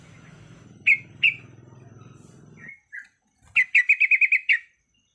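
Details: Female sooty-headed bulbul in breeding condition calling to males: two separate bright chirps, two softer notes, then a rapid run of about eight clipped, bubbling notes at even pitch, over a low rumbling hum that stops midway.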